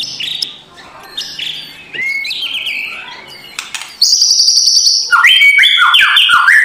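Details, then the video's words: White-rumped shama song for provoking a lazy bird in the morning: varied whistled notes and slurs starting softly, then a loud high buzzy tone followed by stepped, descending whistles and harsh rattles. "MURAI BATU LANGSUNG NGEGASS KRETEKAN K4SAR SUARA RAME || Memancing emosi murai batu malas bunyi"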